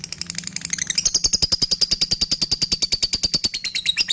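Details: Lovebird performing its long ngekek chatter, used to provoke and tutor other birds: a fast, rattling string of shrill notes, several per second, rising and holding steady for about four seconds.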